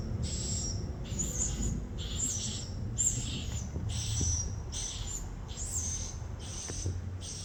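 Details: High, rasping swiftlet chirps repeat in short bursts about every three-quarters of a second, set against a strong low rumble and scattered faint clicks.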